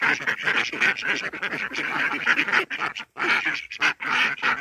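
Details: Indian Runner ducks kept at a backyard pond, calling in a continuous, raucous chorus of rasping quacks with only brief gaps, many birds overlapping.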